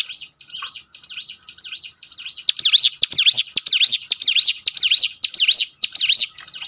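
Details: Training recording of hill prinia song for birds: a steady run of high, wavering whistled notes, softer at first, then growing louder and sharper, repeated about twice a second with clicky accents.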